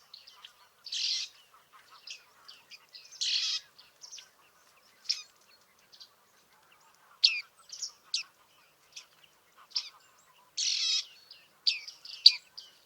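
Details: Bearded reedling, Liepāja, Latvia, July 2023: mix of buzzy rasping notes and crisp high pings, irregularly spaced with short gaps, in a quiet setting.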